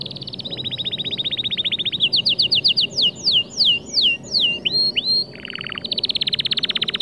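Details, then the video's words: Male white canary singing a motivational song meant to stir other birds: rapid buzzy trills at steady pitch give way to a series of bright downslurred whistles, then more fast rolling trills. "أفضل 8 دقائق تحفيزية ذكر كناري خرافي شوف كيف طيورك راح تتغير معاها canary"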